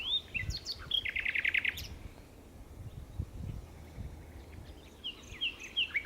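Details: A common nightingale at Berkheide, the Netherlands, recorded 29 April 2018, sings a rich phrase: a few sharp whistles, then a rapid, rattling series of repeated notes, with more whistled notes after a pause; low rumble beneath.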